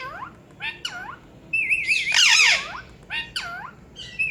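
Rose-ringed parakeet giving repeated downward-swooping squawks and a wavering, warbling chatter, with one harsh burst in the middle; nothing else is heard.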